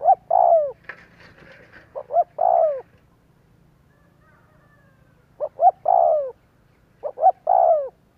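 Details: Spotted dove coos meant to provoke other doves to call: two soft phrases of short notes ending in a falling croon, a brief noisy rustle, a pause, then two more phrases; low hum throughout.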